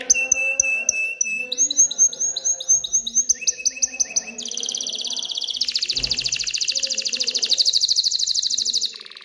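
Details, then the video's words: Canary song meant to excite females toward mating and nest building: sweeping whistled notes repeated in quick series, followed by a long, dense high trill lasting several seconds. "تغريد كناري هائج لتحفيز الاناث على التزاوح وبناء العش"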